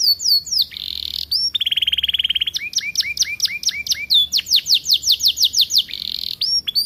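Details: Aviary-kept young canary just starting its full song: varied high phrases, a dense buzzy trill, then runs of clear repeated upslurred whistles, changing pattern every second or so.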